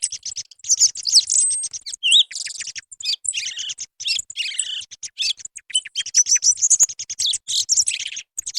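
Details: Song thrush singing in a recording made as a hunting lure: busy stream of sharp, high twittering notes and buzzy bursts, with a few clear whistles, barely any pause.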